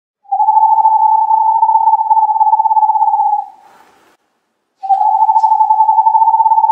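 An owl gives a long, steady, mid-pitched trill of over three seconds, pauses briefly, then starts a second trill at the same pitch.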